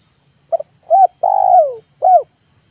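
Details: Spotted dove cooing manggung style in the afternoon as a lure for wild doves: a brief note, a rising coo, a long coo sliding gently downward, then a final arched coo, with a steady high whine behind.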